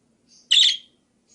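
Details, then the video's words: Single budgerigar chirp from a set of call variations for tutoring other birds: a soft thin lead-in note, then one loud, harsh, buzzy burst lasting about a third of a second. "Suara Kicau Burung Parkit Berbagai Variasi"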